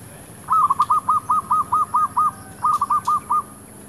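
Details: Decoy zebra dove in a shop area, calling to attract wild doves: a long run of about ten rhythmic, bubbling coo notes, a brief pause, then four more.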